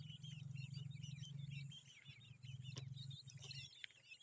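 Grey francolin chicks give many thin, high peeps, overlapping in quick succession, over a steady low droning hum.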